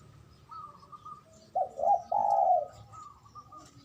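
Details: Male zebra dove in ngoar manggung calling, meant to stimulate mating arousal: a faint level hum, then three soft mellow coos, short, short and a longer drawn-out final note.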